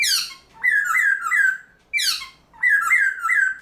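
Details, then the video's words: Black-throated laughingthrush (Garrulax chinensis) kept in captivity, early-morning training song meant to excite other birds: sharp descending whistled strokes followed by warbling, wavering phrases, repeated in three loud bouts with short gaps. "Luyện Khướu Bạc Má Hót Sáng Sớm Kích Chim Khướu Căng Lửa Hót Giọng Rừng"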